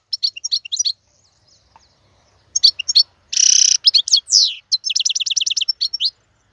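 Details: European goldfinch, a wild-caught male, singing as a tutor for young birds: scattered twitters, a pause, then a harsh nasal buzz, swooping slurs and a rapid even trill.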